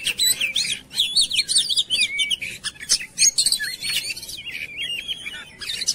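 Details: Oriental magpie-robin lure song: sweet whistled runs and wavering warbles mixed with sharp chirps, delivered rapidly in overlapping phrases.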